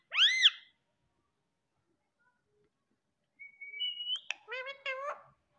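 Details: Female pet Indian ringneck parakeet talking in Hindi, saying mummy: a short harsh rising squawk, a pause, then a thin level whistle and a quick run of buzzy, voice-like syllables.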